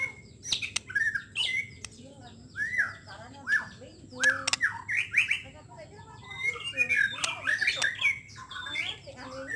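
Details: White-rumped shama song meant to prompt a shama to sing its repertoire: fairly quiet, scattered downslurred whistles and short chattering notes over a steady background hum and hiss.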